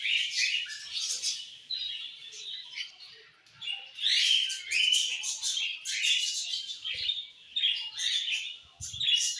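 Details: Budgies singing in the evening, lively bursts of twittering warble and sharp squeaky chirps, separated by brief softer moments, several birds chattering at once.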